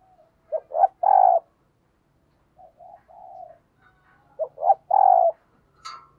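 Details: Decoy spotted dove giving thúc gù coos: two quick short notes leading into a long low coo, a softer trio of notes in between, then the phrase repeated, with a brief sharp click at the end.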